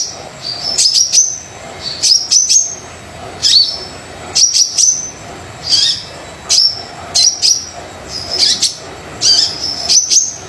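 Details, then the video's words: Lively brown-throated sunbird song, used to coax quiet sunbirds into singing: repeated short phrases of shrill, piercing chirps and quick upslurred whistles, each burst under a second, roughly every second. "Kolibri Dada Coklat Super Gacor Pancingan Kolibri Yang Males Bunyi"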